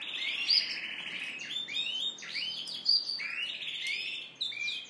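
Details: Yorkshire canary cock courting the hen, singing and dancing. A loud, continuous canary song of buzzy rolling trills, broken by rising swoops and sharp bright chirps, over a faint low hum.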